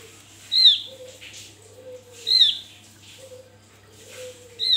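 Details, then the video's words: Javan grey-throated white-eye used as a lure to provoke other birds: sharp, high whistled notes with a downward slur, repeated about every 1.7 seconds, with a steady low hum underneath. "Opior jawa buka paruh ngalas Untuk pancingan"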